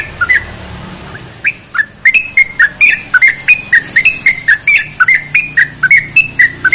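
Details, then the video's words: Sooty-headed bulbul song used to stimulate other bulbuls to sing: quick run of bright whistled notes, each with a sharp click, repeated about every quarter second, with a faint low hum beneath. "CEPAT MERANGSANG TRUCUK MALES BUNYI"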